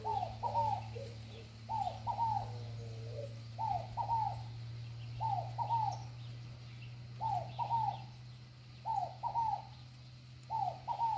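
A scaled dove repeats its hollow, cooing two- to three-note phrase about every two seconds, over a steady low hum.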